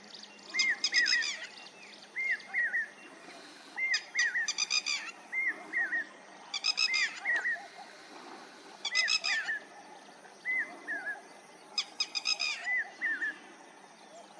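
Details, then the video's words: Lapwing calling: clusters of short, slurred, downward-bending notes with harsh buzzy overtones, given in bursts roughly every one to two seconds, with quieter answering notes between bursts over a faint rural background. "Voice of Lapwing Bird"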